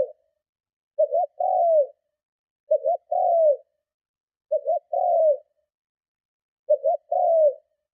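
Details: Cooing of a spotted dove, strong and provoking, meant to draw in other doves; four evenly spaced phrases about two seconds apart, a clipped two-part note leading into a longer coo that slides downward.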